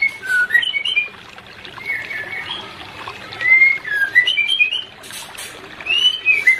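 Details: White-rumped shama pair, used to bring non-breeding birds into condition: soft, varied whistled phrases and brief chattering notes in irregular bursts over steady background noise.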